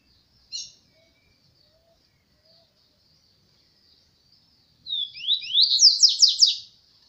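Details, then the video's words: Double-collared seedeater (papacapim), a privately kept bird: one sharp high chip, a quiet pause, then a brief fast phrase of high sweeping notes rising and falling in a rapid series, about a second and a half long, against a silent background. "Qual e o canto desse papacapim"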